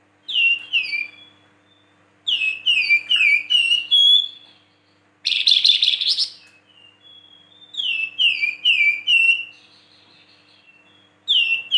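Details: Flamboyan song mixing 'siulan' whistles with rough chatter: repeated series of falling whistled slurs, a dense buzzy burst in the middle, then more descending whistles, phrases separated by short pauses.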